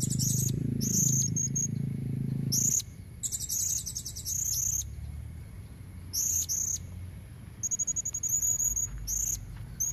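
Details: Female blue-crowned hanging parrot lure call for males: bursts of high, squeaky chittering and fast trills, repeated several times over ten seconds, with a low hum fading out early.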